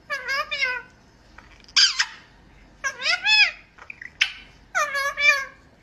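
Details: Talking pet rose-ringed parakeet repeating "I love you" in a squeaky, nasal imitation of a human voice: three or four clear wavering syllable groups with brief gaps, close and loud indoors.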